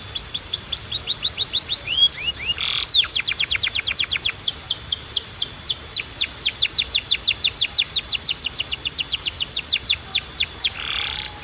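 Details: Domestic canary singing, used to train other canaries: long runs of rapid, repeated descending whistled notes high in pitch, with a brief harsh rasp mid-phrase and another near the end.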